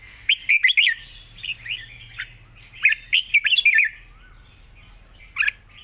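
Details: Red-whiskered bulbul singing wild-style long phrases: two energetic runs of quick, bubbling warbled notes separated by softer slurs, and a single sharp note near the close.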